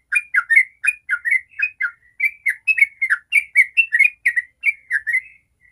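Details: Sooty-headed bulbul delivering ropel song, meant as a lure for other bulbuls: nearly six seconds of continuous, chattering liquid whistles, each note slurring up or down, repeated about four times a second with clean, quiet background.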